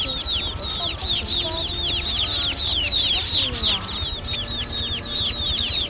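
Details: Munia chicks calling as a lure for net trapping, with rapid bright downslurred chirps from several birds repeated about three or four per second, plus faint low whines underneath.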